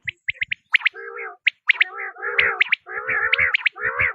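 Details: Quail sounds: a few sharp high pips, then drawn-out wavering nasal notes overlaid with squeaky high accents, nearly continuous.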